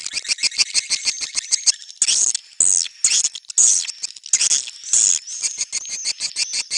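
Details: Rapid, evenly spaced ticking chirps from swiftlets in neutral sound, followed by louder, broad, harsh twittering bursts repeated roughly every half second.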